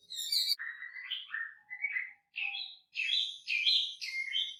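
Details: Wambi singing continuously with a rich, varied repertoire, recorded as a training master for songbirds. Sweeping whistled notes and buzzy trills alternate in short phrases, some rising, some falling, with brief pauses between bursts.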